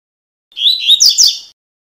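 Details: Double-collared seedeater; tuí-tuí song; tutor song for teaching young birds to sing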